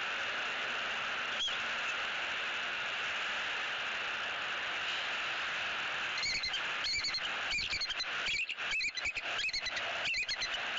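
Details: Early-morning calling by a Southwest Florida bald eagle pair at the nest tree, October 18, 2018, as the female drops to chase away a sub-adult visitor. One lone note, then rapid piping chirps in clusters against constant nest-cam hiss.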